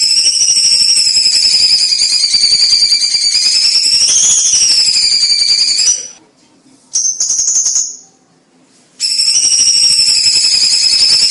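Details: Cucak cungkok song meant to train contest birds, loud and dense: a long, shrill, buzzing trill held about six seconds with a slight rise and fall, a short burst, then the trill resumes.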